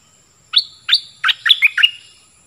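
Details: A cream-vented bulbul decoy sings energetically: two spaced, clear opening notes, then a quick tumbling cluster of bubbly, up-and-down chirps, over a quiet background.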